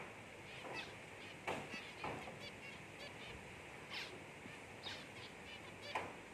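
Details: Albino zebra finch chick giving short, harsh, raspy calls at uneven intervals, about six in as many seconds, over a steady background hiss.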